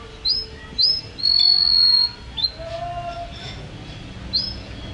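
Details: Canary (kenari) singing a champion-style song meant as a master recording for training caged birds at home: a few clipped, high upslurred whistles around a long, steady, piercing whistled note, with quieter lower tones in between.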